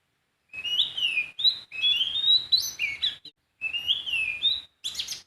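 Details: Wild sooty-headed bulbul song: clear, fluting whistled phrases that rise and fall, given in three bursts separated by short pauses. A brief harsher note closes the clip.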